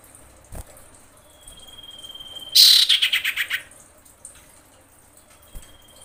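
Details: Female common iora summoning a male: a long thin level whistle breaks into a loud rasping chatter of quick pulses that slow and fade, with another faint whistle afterward.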